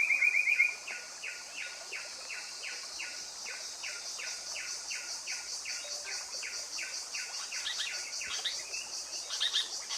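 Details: Blyth's paradise-flycatcher (Terpsiphone affinis) opening with a quick trill, then a rapid run of rasping downslurred notes at about four per second, with insects shrilling in the background and other chirps near the end.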